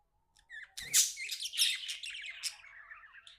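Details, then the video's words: Pet budgie, described as happy, chattering in quick scratchy twitters and squeaky chirps, with loud harsh bursts near the start and midway, then a softer wavering warble trailing off; a low steady hum sits underneath. "Happy budgie chirping sounds"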